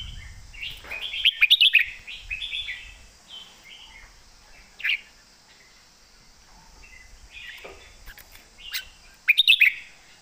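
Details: Red-whiskered bulbul giving a loud, clear master song: bursts of sharp, bubbly chirped notes mixed with warbled phrases, spaced by quiet gaps, with a steady high hiss behind.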